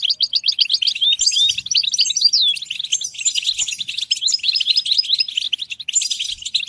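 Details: European goldfinch song with quick repeated twitters, slurred high notes and trilled phrases in a lively continuous sequence.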